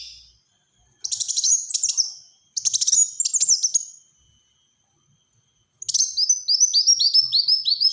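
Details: High-pitched Black-throated sunbird song in tight rapid bursts, used for luring and tutoring: two buzzy pulsed trills blending into thin whistles, a pause, then a long run of repeated falling chirps.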